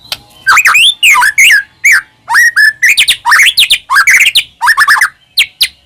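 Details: Loud, continuous White-rumped shama song, played as a lure to stir caged shamas into singing: rapid varied phrases of rising and falling whistled slurs mixed with harsh chips, barely pausing between bursts.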